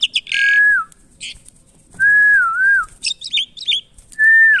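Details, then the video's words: Asian pied starling in captivity, during taming, sings long smooth whistles that waver and drop, broken by short bright chirps and a cluster of twisting high notes. "Menjinakan Burung jalak Suren"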